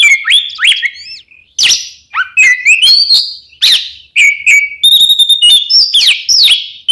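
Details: Oriental magpie-robin, two birds, meant to draw song from caged birds: loud, varied whistling with sharp downward and upward slurs, steady held tones and chattering notes, in bursts separated by brief gaps.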